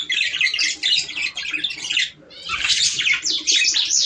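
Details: Budgerigar flock chatter for encouraging breeding: rapid repeated chirps and squeaky trills, a brief lull after two seconds, then a loud burst of twittering.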